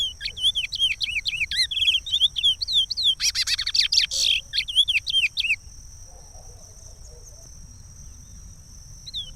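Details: Chestnut-bellied seed finch (curió) singing the Regional song of Pará, used for teaching chicks: a run of rapid whistled notes that rise and fall, a dense buzzy burst near the middle, then the phrase ends and quiet follows.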